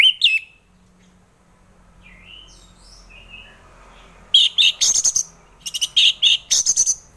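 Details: Orange-headed thrush singing, a recording meant to coax silent birds into song: a lone whistled note, faint soft phrases, then a loud run of sharp, ringing, rapidly repeated notes in the last three seconds.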